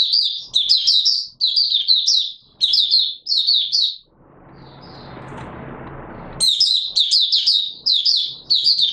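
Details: Oriental white-eye, recorded 24 March 2022, singing in an opening-song session: quick bursts of high, twittering warbled notes in phrases about a second long, with a noisy rustling gap midway.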